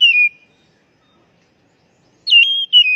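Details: Oriental magpie-robin (kacer) lure call for untrained, stressed birds: a short falling whistle, a long silence, then two clear slurred whistles.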